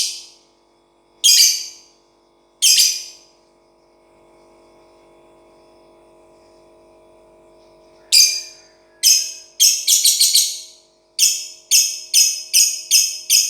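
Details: Lovebird kept out of a cage, giving three harsh chirps, then a quiet pause with a faint hum, then a quickening series of rasping chirps in short bursts.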